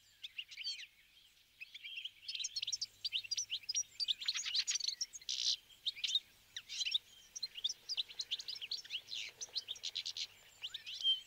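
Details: Fieldfare, probably several birds, keeping up a continuous busy chatter of squeaky, wheezy and harsh notes over eleven seconds.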